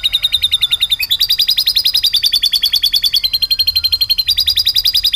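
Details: Rolling canary song with lovebird-flavoured phrases: a dense, rapid chattering trill that jumps up in pitch after a second, then holds steady runs with small step changes throughout.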